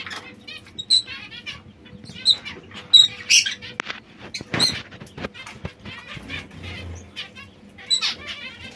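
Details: Small white zebra finches give short, nasal, buzzy calls at an irregular pace, with soft chattering and brief fluttering sounds between them.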